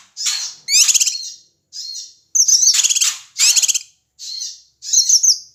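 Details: Noisy Ashy tailorbird call meant to provoke other birds: harsh high bursts alternating with fast trilled rattles, seven or so phrases separated by short pauses.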